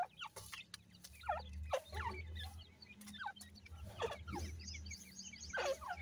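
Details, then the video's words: Feeding grey francolin chicks produce repeated, steeply falling peeps and brief chirps in irregular clusters, with a constant low mechanical hum beneath. "grey francolin chicks nice voice"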